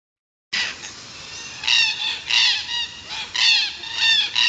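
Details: Forest Red-tailed Black-Cockatoo (Calyptorhynchus banksii naso), southwest Australia, giving harsh, grating calls, a loud burst roughly every second, rough and high-pitched with a slightly rolling quality.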